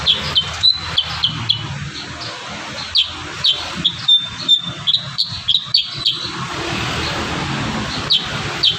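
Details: Kurincang singing energetically with varied filler phrases: a run of sharp, high chirps and brief whistled notes, delivered in quick bursts with short pauses, over faint low background rumble.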